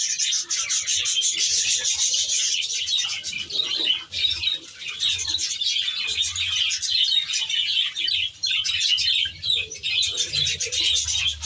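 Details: Budgerigars kept in an aviary, steady overlapping chirps, squeaks and warbles from a large flock, a low hum now and then beneath.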